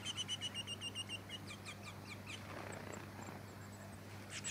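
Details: Splendid fairywren of the black-backed subspecies melanotus, recorded in Victoria, Australia, in December 2017. A fast run of evenly spaced, very high sharp notes opens the clip, then fades into thinner chips and brief trills above a constant low drone.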